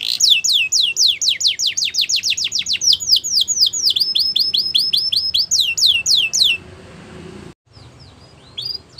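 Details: Canary singing a fast series of high, sweeping downslurred whistles repeated in quick trills, then a run of shorter notes, ending with a brief pause and a few faint notes.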